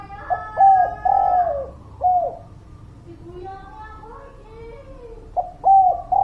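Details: Lure cooing of a spotted dove meant to prompt reluctant birds to sing: several short hollow coos and a longer slurred one, a quieter stretch with faint wavering sounds, then coos resume at the end.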